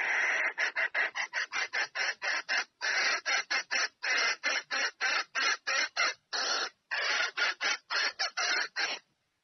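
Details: Female red junglefowl calls to draw a male in to mate, repeating coarse, rasping clucks rapidly and evenly for over nine seconds in a quiet setting.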